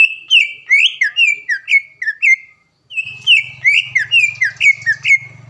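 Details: Greater green leafbird, a caged competition bird from Palembang, Indonesia, sings a lively training song: rapid whistled notes near the upper-middle range, each bending down or up, repeated about twice a second, with a brief pause and a low hum afterward.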